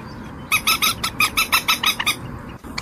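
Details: Common moorhen giving a run of about ten short, harsh, evenly spaced nasal notes with a rich, layered tone. Low background hiss runs beneath.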